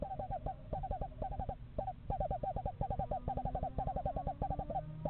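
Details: A pair of screech owls checking out a nest site in a yard in November gives a soft, fast, quavering trill of low notes. The trill runs almost without a break, with a low rumble underneath.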